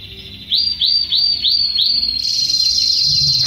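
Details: A young Belgian canary sings loudly: five quick rising-falling whistled notes, about three a second, then a sustained high bright trill.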